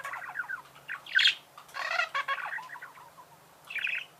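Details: Budgerigars giving scratchy chatter, a loud harsh squawk and creaky, buzzy notes over a faint hum.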